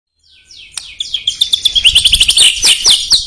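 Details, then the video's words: Murai batu (white-rumped shama) song meant to provoke rival birds; after a quiet start, descending whistled sweeps lead into a fast, bright series of repeated chips about twice per second, growing louder. "PUTAR SEBELUM GANTANG untuk Pancing EMOSI"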